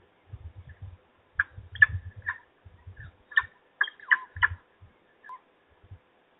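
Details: Supper at a peregrine falcon nest in Trzebież, 17-05-21: clusters of loud, hoarse, chattering calls in uneven bursts, with frequent low knocking and shuffling from activity at the nest.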